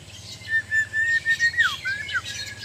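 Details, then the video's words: Kept white-rumped shama (murai batu), Sabah/Borneo type, during mental training, holding clear mid-pitched whistles that dip and slide downward in short linked phrases, with a faint low hum behind. "Indahnya suara dan gaya burung murai batu"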